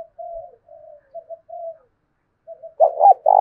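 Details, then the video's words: A decoy spotted dove in the 'thổ' voice style coos to draw wild doves in and make them answer. Several soft, low coos are followed by a pause, then louder throaty notes ending in a sustained coo. "Chim Cu Mồi Gáy Kích Chim Gáy Hiệu Quả Hàng Ngày, cu gay kich boi nhanh noi gù"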